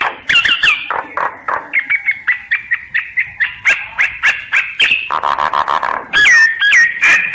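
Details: Song of a common myna (sáo nghệ), captured with a voice recorder app: rapid repeated chirping notes, roughly four a second, with whistled slurs, a buzzy passage midway and looping whistled phrases near the end.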